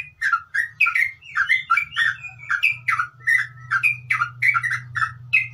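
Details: Yellow-vented bulbul chattering and whistling rapidly in a ngeropel song: uneven, gurgling notes run together, with a steady low electrical-sounding hum beneath.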